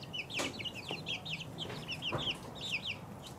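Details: Chicks two weeks old give a busy flurry of high, quick peeps, many with a downward slur, several birds overlapping, with a few soft thumps underneath.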